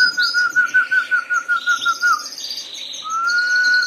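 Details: Harz Roller canaries singing: a low pulsed roll beating rapidly for two seconds, a brief pause, then a smooth continuous low roll, while higher twittering from other birds runs throughout.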